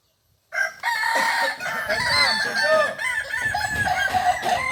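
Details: Kukuak Balenggek rooster from Solok, West Sumatra, at a practice gathering; after a short silence a loud, rich crow starts and runs on with wavering, rising-and-falling syllables, possibly with other crowing overlapping.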